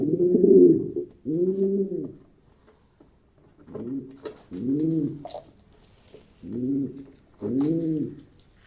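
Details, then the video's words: Pigeon coos in paired arched hoots with gaps between pairs, low and resonant, with faint scratchy noises in the middle. "Pigeon Sound Effect - the sounds that pigeons make"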